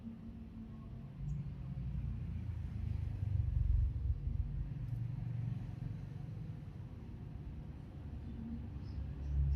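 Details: Low droning road traffic that rises and falls throughout, with no animal voice.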